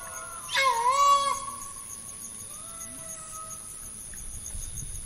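A green peafowl gives one loud, brassy, trumpeting call lasting under a second. A steady high insect buzz runs throughout.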